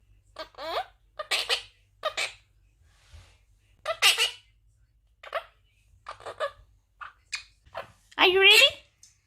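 A monk parakeet talks in short, squeaky, speech-like phrases, repeating what sounds like its own name.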